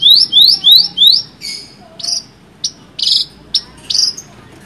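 An Australasian bushlark sings high, fast rising whistled sweeps, four in quick succession, then a varied run of short buzzy and slurred notes over faint background hiss.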